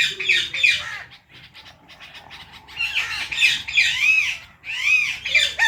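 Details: Pet Indian ringneck parrots, a green one and a blue one together, give harsh, arching squawks and chirps in bursts of two or three, high and rasping, with short pauses between.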